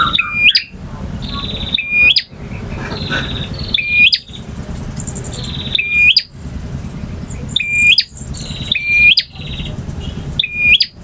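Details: Male bar-winged prinia singing in a long varied performance: a sharp rising-then-falling whistled phrase, bright and buzzy, repeated about every two seconds with a faint rattling trill between phrases over a low background rumble.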